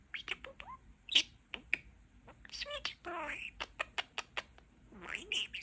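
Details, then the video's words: Pet budgerigar, a young male kept indoors, talking in fast, chattery mimicked speech with buzzy syllables and high squeaky chirps, a brief warbled phrase midway, and clicking notes between. "Talking Parakeet"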